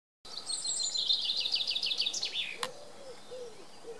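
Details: Common chaffinch singing: an accelerating series of bright, descending repeated notes ending in a quick flourish after about two seconds, followed by a sharp click and soft low background sounds.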